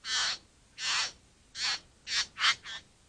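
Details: Bowerbird calling with six loud, grating, hissing rasps, the first three long and evenly spaced, then three shorter ones coming faster in quick succession.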